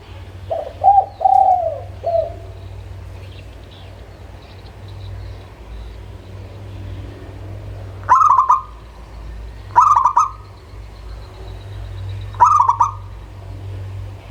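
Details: Local zebra dove singing, played to stir lazy birds into song: a soft cooing phrase early, a long quiet stretch, then three short bursts of sharp clicks and rolling coos spaced about two seconds apart over a low hum.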